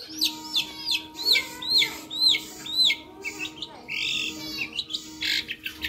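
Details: Long-tailed shrike in a lively tutor song with varied fills: sharp rising whistled upsweeps and arched notes, then harsh buzzy bursts and quick chips, about two per second, over a steady low electrical hum.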